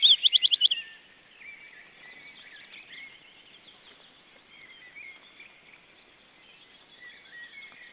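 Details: Restless female osprey giving a burst of about six loud, piercing, whistled chirps in under a second, followed by several seconds of faint, scattered chattering notes.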